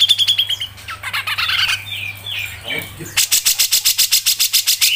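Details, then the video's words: Cucak jenggot, or Grey-cheeked bulbul, giving tight 'ngepik' song on a training recording: opening whistled slurs and a soft muddled stretch, then a long fast series of sharp, evenly repeated chips. "CUCAK JENGGOT MBESET NGEPIK RAPET | masteran cucak jenggot"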